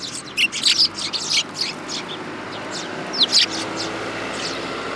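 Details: Injured-beak sparrow at a Tenmangu shrine, 20 August 2022, chirping rapidly: a dense cluster of high twittering notes at the start, a quieter gap, then another short burst of sharp chirps.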